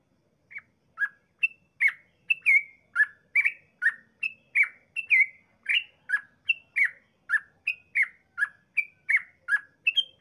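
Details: Yellow-vented bulbul in long rapid-fire 'ropel' song, used as a lure to make other bulbuls sing: a steady run of short bright notes, alternating higher and lower pitches about twice a second, in a quiet background.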